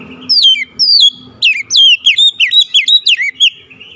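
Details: Oriental magpie-robin (kacer) in determined song, unloading isian material: a steady sequence of loud, clear whistles, each sweeping downward, tightly spaced and lively, over a faint low background murmur.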